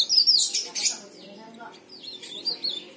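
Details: Leaf warbler in energetic song, intended to make other leaf warblers sing; loud burst of high chirps and twittering in the first second, followed by faint, sparse thin notes.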